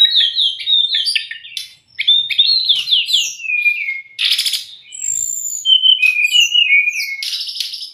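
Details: White-rumped shama song used as tutor and lure for young or stressed captive birds: rich, varied whistled phrases, rapid slurred notes and sweeping trills broken by short harsh bursts, with a brief pause near the second second.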